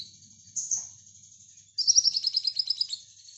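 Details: Brown-throated sunbird singing in nembak style for training lovebirds. A brief high slurred note, a pause, then a quick rattling trill of sharp high notes lasting over a second, over quiet background.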